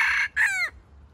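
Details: A decoy junglefowl's short, stuttering crow, used to lure wild chickens into a trap: a brief raspy note, a gap, then a harsh phrase that drops away in a falling slur.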